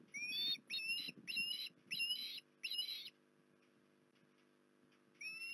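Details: Port Lincoln osprey, 19 January 2021: five loud, upward-sweeping whistled notes about twice a second, then a pause of two seconds and one more rising whistle, with soft low rustling beneath.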